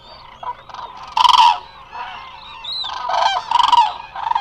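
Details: Eurasian cranes gathered in a resting flock at Hula Nature Reserve, Israel, on a live camera; powerful, rattling trumpet calls burst out above a steady chatter of many birds calling at once.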